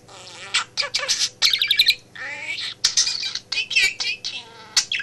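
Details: Home office pet budgie, male, chatting while its owner works; dense burbling warbles, buzzy trills and squeaky fragments in rapid succession, a steady electrical hum underneath.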